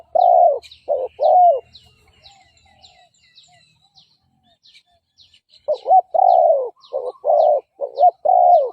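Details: Spotted dove decoy coos aimed at provoking fighting males: a burst of low arched coos, then a quiet gap filled with faint high chirps and twitters, then another lively string of short and glided coos.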